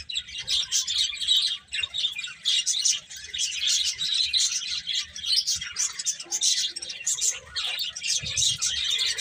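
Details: A flock of birds keeps up steady, shrill chirping and twittering, with waves of louder calls and short lulls, plus scattered quiet low knocks.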